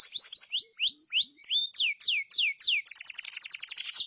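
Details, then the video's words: Atlantic canary singing a fast, varied song: high downslurred whistles, then a run of repeated sweeping notes, ending in a rapid rattling trill, all bright and high-pitched. "Master burung kenari"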